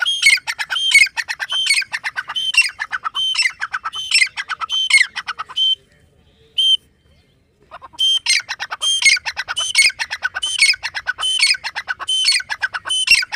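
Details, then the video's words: Grey francolin (teetar) calling steadily, a fast run of shrill, squawky notes with ringing high tones, falling quiet for about two seconds midway, then resuming with equally loud repeated phrases. "Teetar voice | grey francolin dakhni teetar sound | irani teetar ki awaaz"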